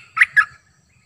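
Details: Decoy cream-vented bulbul giving two rich, throaty warbled notes, the second lower, in a short phrase.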